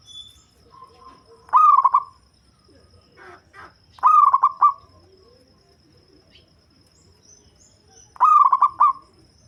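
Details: Local zebra dove, prized for its deep bass voice as a lure bird, giving three spaced cooing phrases of rapid stuttering notes, with brief softer calls and scattered clicks between them and a faint steady whine.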